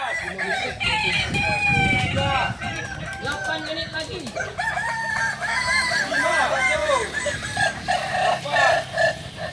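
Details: Overlapping crows of Kokok Balenggek roosters at a joint practice event in Solok, long chains of arching, stuttered syllables over low rumbling noise and a murmur of people talking.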